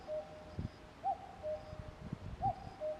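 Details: Distant common cuckoo repeating its falling two-note cuckoo about every one and a half seconds, accompanied by low rustling and tapping sounds close by.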